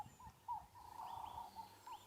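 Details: A Ring-necked Dove on a sunrise safari on 8 December 2016 gives soft, low cooing notes near female red-backed shrikes, with thin, higher whistles from other birds and faint outdoor background noise.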